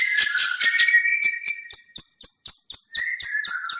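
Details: Female bar-winged prinia giving a clicking call used as a lure: sharp high clicks about four per second, over a lower buzzy, drawn-out trill for the first part, then mainly clicks.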